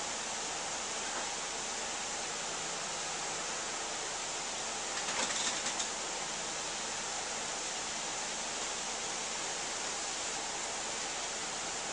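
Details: Steady broadband hiss throughout, with only a brief cluster of soft clicks or flutters midway and no clear calls.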